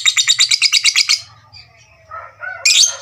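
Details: Fighter lovebird's ngekek, used to stir up rivals: a rapid, high, rattling trill of about a dozen pulses lasting just over a second, then softer chirps and a sharp squeak at the end.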